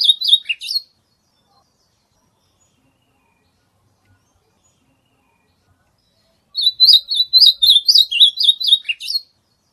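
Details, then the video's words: Song of an ultramarine grosbeak, used to warm up a kept bird's singing: the tail of one phrase, a long pause, then a full phrase of about ten fast whistled, warbling notes ending on a lower slur. "CANTO DO AZULÃO"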